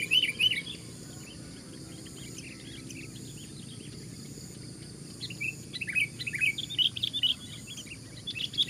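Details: Sooty-headed bulbul singing loudly as a fighting bird, one against four opponents: clusters of sharp, high chirping and warbled phrases at the start, then a longer run of repeated chirps after a quiet gap, over steady low rumble.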